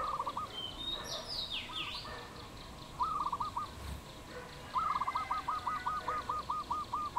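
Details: Wild dove in Cambodia, recorded 22 April 2020: short bursts of rapid, rolling pulsed coos at a mid pitch, then a long run of about a dozen evenly spaced trilled notes. Swooping calls from another bird are heard early on.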